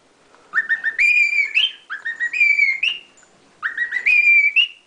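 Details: Pet lutino cockatiel whistling the tune La Cucaracha: the same clear whistled phrase is sung three times, opening with quick short notes, then a long rising-and-levelling tone ending in an upward flick.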